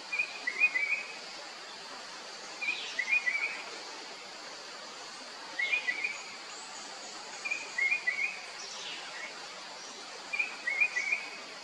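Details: Sri Lanka blue magpie uttering short bursts of squeaky, twittering notes, each burst a quick cluster, repeated about every two to three seconds over a steady background insect drone.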